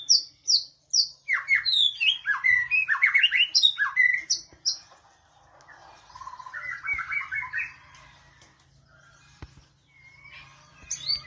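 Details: Magpie-robin giving loud, sharp whistled notes in quick succession, mixing high piping tones with lower slurred phrases, then a softer twittering passage and a few scattered notes.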